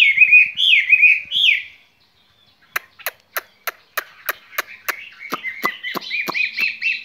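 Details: Skylark in a cage sings a spring love song: a few looping chirps, a silent gap, then sharp rhythmic clicks about three per second over a thin high trill.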